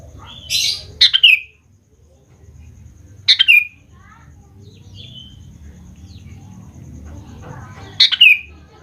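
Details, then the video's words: Lure song of a sooty-headed bulbul for prompting young birds to respond: loud, liquid, bubbling phrases with a drop at the end, repeated three times, with a scratchy note and faint chirps between. "BURUNG KUTILANG GACOR | dijamin 100% nyaut GACOR kutilang muda anda"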